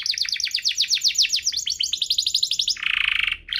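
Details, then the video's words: Vigorous canary duo whose song is used to spur canaries to sing and to tutor young birds: a long fast series of bright sweeping notes, then a dense buzzy roll and a brief return of trilling. "Kompilasi DUO GACOR, cocok untuk pancingan kenari biar gacor, masteran kenari paud"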